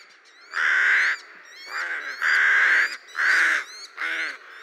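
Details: A rook (Corvus frugilegus), in spring when rooks return to Lithuania, gives five harsh, drawn-out caws, each about half a second long, coming roughly every second, with faint higher twittering behind.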